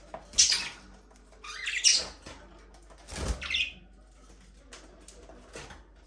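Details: Caged budgerigars chattering in their aviary give high, scratchy chirps roughly every second and a half, mixed with a muffled knock and faint background peeps.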